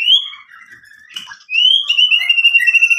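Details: White-rumped shama used to provoke rivals into singing: a clear high whistle, a short pause with soft notes, then a long bright whistled phrase with fast trilled flutter.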